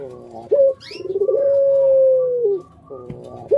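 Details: A pet puter pelung dove gives a low, mellow coo: a short opening note, then one long drawn-out hum lasting well over a second, with a faint thin chirp briefly in the background.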